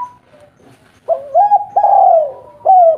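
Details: Spotted dove, a local bird used as a lure to make other doves answer, giving a hollow, low coo phrase after a short silence: a rising two-part note, then a long sustained coo and a final falling note.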